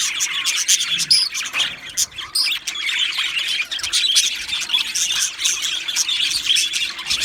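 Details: Two male Australian budgerigars chirping: a dense, steady stream of sharp, high, scratchy chirps and squawky notes with no pauses, plus a few short whistled tones near the start.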